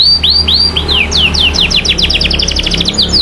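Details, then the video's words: Canary 'cuit cuit' song used to prompt other canaries to sing: a few slower downward-sweeping whistles speed up into a fast, even run of high chirps, with a faint low hum behind. "PANCINGAN JITU SUARA BURUNG KENARI CUIT CUIT MANGGIL LAWAN MERANGSANG KENARI LAIN KEMBALI AKTIF"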